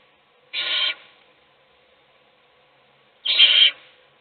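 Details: Owl in a nest box feeding a chick while the other chicks sleep: two harsh, hissing bursts, each about half a second long, spaced nearly three seconds apart in an otherwise quiet box.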